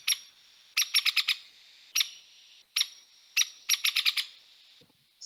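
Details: Hairy Woodpecker calls: sharp, harsh peek notes, single or in quick bursts of four or five, rougher than a Downy Woodpecker's, over a faint steady hiss.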